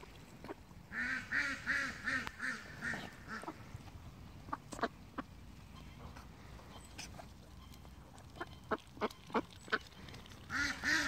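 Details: Muscovy ducks in mud giving short hoarse huffing calls in rapid bursts near the start and end, with scattered clicks and splashy sounds between.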